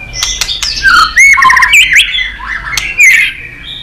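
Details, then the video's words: Fired-up white-rumped shama singing competitively, delivering a rich, fast run of varied whistles, swooping slurs and sharp chips packed tightly together, loud and continuous. "Chòe lửa kéo dây suối dài"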